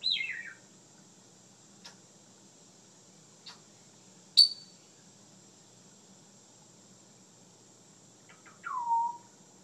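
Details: Captive African grey parrot recorded from around a corner behind glass, mimicking bedtime talk and snores: a falling whistled glide, scattered faint clicks, one sharp high squeak, and a final descending whistle, with steady background hum.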